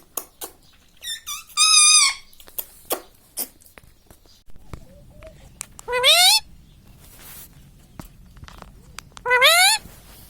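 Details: Pet ring-necked parakeet (mitthu) kept indoors, talking: scattered clicks and brief wavering syllables, then three loud, harsh, rising speech-like phrases spread across the stretch, with a low room hum.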